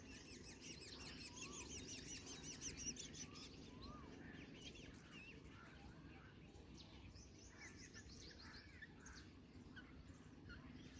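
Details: Black drongo chicks being fed, giving a rapid, busy stream of thin high chirps and short buzzy notes, many overlapping, heard faintly against a steady background hiss.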